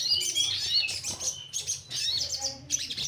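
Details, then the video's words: Orange-headed thrush song played as a lure to make birds sing; quick sequence of whistled, slurred and trilled notes in short bursts, mimicking-style variety, with faint low background hum. "Pancingan SOGON Bahan Agar Rajin Bunyi"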